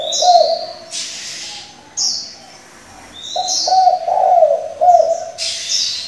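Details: Spotted dove used as a decoy, changing its calls continually to excite and train young doves: low rolling coos, one early and a longer series of three notes midway, while sharp high chirps ring out repeatedly around them.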